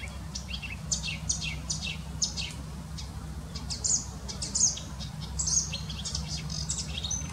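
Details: Energetic marsh or reed warbler trilling in its natural habitat, a chattering string of sharp, high, scratchy notes and short whistles, delivered unevenly over a constant low background hum.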